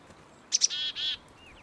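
A chickadee gives two sharp, high 'chick-a' notes followed by two buzzy, harsher 'dee' notes, quickly and in sequence, over faint background hiss.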